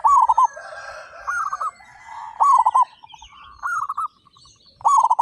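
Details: Local zebra doves in a group of thirty-five, singing loudly and often: rapid broken coos roll in half-second bursts from several birds in turn, with softer high twittering in the background.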